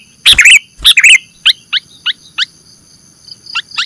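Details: Sooty-headed bulbul calls used as a lure for trapping: two loud, bubbly chirp phrases followed by a series of thin, sharply falling single notes spaced about a third of a second apart.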